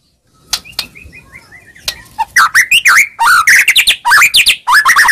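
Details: White-rumped shama song played to provoke a reply: soft descending whistled notes at first, then loud rapid chattering phrases of sweeping, warbled notes.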